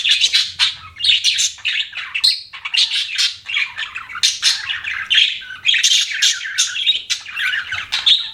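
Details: Pet budgerigars chirping indoors: a dense, continuous chatter of high, scratchy warbles and squawky notes in quick overlapping bursts, with barely a pause throughout.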